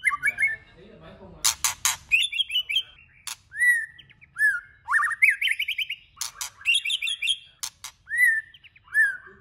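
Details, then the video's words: A White-rumped shama's varied song meant to stimulate other shamas to sing: clear falling whistles, rapid trilled runs and repeated sharp clicks, phrases spaced by short pauses. "Kích Chòe lửa hót nhiều giọng"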